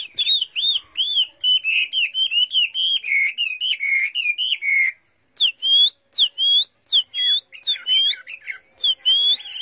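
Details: Caged, tamed Chinese hwamei singing a long series of quick looping whistled notes in steady rhythm, then after a short pause switching to spaced, sharper rising whistles and chips.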